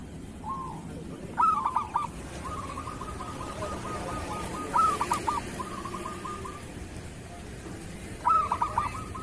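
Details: Local zebra dove kerot song, recorded as a master track for tutoring doves: three accented bursts of clipped coos, each trailing into a long, even run of rapid soft notes, over background hiss.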